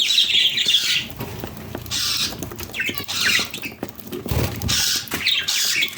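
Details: Budgerigars' morning chatter: bright, scratchy chirps and squawks in rapid, overlapping bursts.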